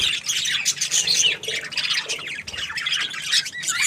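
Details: Continuous happy budgerigar warble: dense, scratchy high chatter with fast twittering notes and short squeaks running almost without pause.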